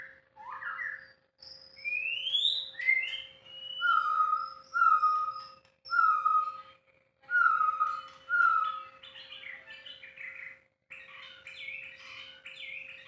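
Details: White-rumped shama, caged, singing unedited: a rising whistle, then a series of loud clear downslurred whistles repeated about every second, ending in fast jumbled chattering phrases; steady faint electrical hum.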